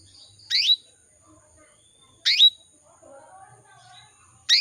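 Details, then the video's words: Caged female canary in breeding condition calling males: sharp high chirps, three bursts spaced about two seconds apart, with faint soft warbling from other birds in between. "PANCINGAN KENARI BETINA MEMANGGIL JANTAN"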